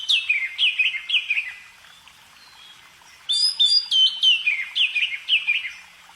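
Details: Songbird singing clear, high whistled phrases of sharply falling notes, delivered in two bursts of rapid repeated downslurs separated by a short pause, with no other sounds.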